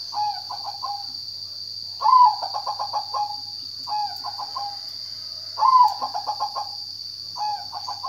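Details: Zebra dove singing a series of low bubbling coo phrases, alternating quieter short bursts with louder longer rolls of rapid pulses, roughly every two seconds, against a steady high-pitched hum.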